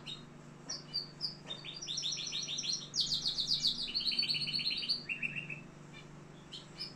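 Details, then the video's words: Singing canary in Algeria: scattered chirps build into continuous rapid trills, a bright dense rolling passage, then lower repeated stuttering notes before the song fades into a few isolated high calls; faint hum behind. "كناري صوة جميل"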